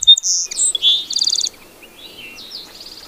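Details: Song sparrow phrase of loud high whistles and a quick buzzy trill, followed by fainter trailing notes over soft background noise.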